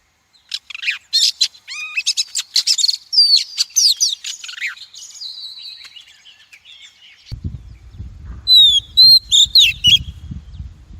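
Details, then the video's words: Female Oriental magpie-robin call used as a lure to stimulate and voice-train males and for trapping: a rapid run of high whistles, sharp chirps and slurred notes, then a pause with low rumbling noise before further clear whistled notes. "Tiếng chim Chòe than mái kích bổi, luyện giọng bổi, bẫy chòe đỉnh nhất hay nhất"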